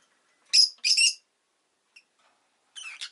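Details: Rosy-faced lovebird kept as a pet, with town noise sometimes present. Harsh, buzzy chirps in a quick cluster, a pause, then a softer rasping pair.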